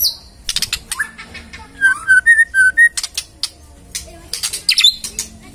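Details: Magpie-robin song: a loud burst of harsh, buzzy notes, then a series of clear, level whistles repeated quickly, then more raspy scratchy notes, over a faint low hum.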